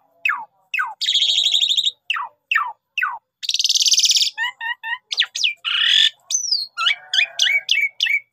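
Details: Javan pied starling in vigorous mompa singing, used as trapping bait: repeated steep downslurred whistles, long grating buzzes, short rattled phrases and a run of quick sharp chirps.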